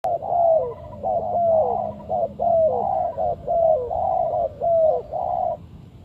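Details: Spotted dove call used as a lure for trapping birds: repeated rolling coos with a downslurred end, about one phrase per second, loud and clear over a quiet low hum.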